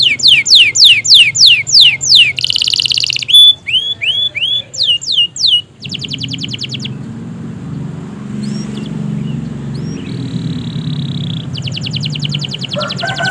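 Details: Canary in long gacor song, played as a lure for canaries slow to sing: quick falling whistles, buzzy rolls and curved notes, then softer scattered notes and a brief buzzy trill over a low background rumble.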